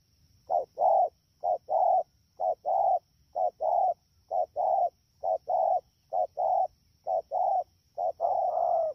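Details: Wild-caught spotted dove from the rainy season, Dak To, Vietnam, 3 October 2019, calling at a fast pace: quick cooing pairs, a short note followed by a longer one, about ten pairs in a steady run.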